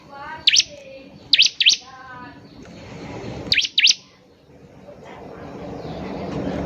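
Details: Bar-winged prinia used to prompt singing: paired sharp, high swooping chips in two groups, with a lower, tonal fluttering sound early on and rising broadband noise toward the end.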